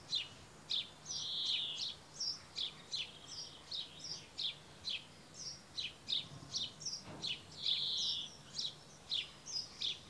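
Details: Male brambling giving a steady series of short, high chirping notes about twice a second, with occasional longer buzzy, drawn-out notes mixed in, over a constant background hiss.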